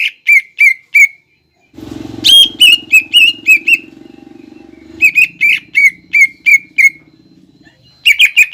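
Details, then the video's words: Greater green leafbird in loud 'nembak ngekek' chattering song, played as a lure so young birds copy it: bursts of sharp, evenly repeated notes, a pause, then a low droning hum under more note runs. "PANCINGAN CUCAK IJO GACOR NEMBAK NGEKEK BIKIN CEPAT MASUK BUAT CUCAK IJO KUNINGAN"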